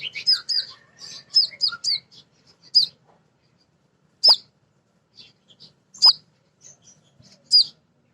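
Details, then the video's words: A female crimson sunbird calls males with a fast run of high chittering chips, then single sharp ticks spaced a second or two apart in near silence. The recording serves as a lure to make other birds sing. "Konin Betina Gacor‼️ Nyrecet Nembak Cocok Untuk Pancingan Burung Bahan"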